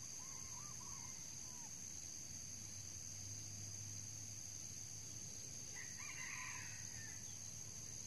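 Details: Red junglefowl crowing during decoy trapping, in which an old cock was struck by a spur; two faint, brief crows, one near the start and one later, over a steady high insect drone.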